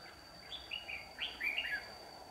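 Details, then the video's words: Decoy red-whiskered bulbul used to lure birds into a trap, 15 July 2019, giving one brief warbling phrase of quick, slurred notes over a steady high electronic whine and low background noise. "Bẫy chào mào"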